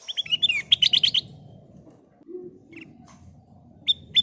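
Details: Sooty-headed bulbul (kutilang emas), a golden-coloured bird in lively singing form, used as a lure to get other birds singing: a quick run of bright whistled notes, then scattered short chirps, over a low background rumble.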